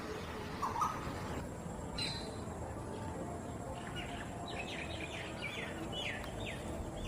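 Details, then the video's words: Asian koels, male and female, in India in mating calls: a quick run of short, sharp, slurred notes in the second half, a few faint notes earlier, over a steady low background rumble. "Mating call of Male and Female koels"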